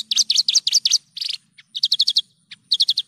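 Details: Lively Javan bush lark song in a clean lure recording, with rapid paired chirps repeated almost without pause in bright clusters, broken by a few brief gaps.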